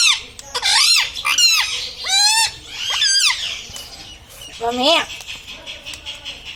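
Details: Pet parrot taught to say "mummy", "papa" and "radhe radhe": arched, rising-and-falling harmonic syllables repeated roughly once a second, a voice-like stream with a quieter stretch before a final rising note.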